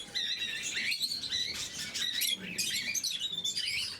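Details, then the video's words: Lovebirds in blue mutation at morning feeding, a loud chorus of shrill squeaks and rising and falling chirps, with brief harsher squawk-like notes among the constant overlapping chatter. "Попуги неразлучники, утреннее кормление"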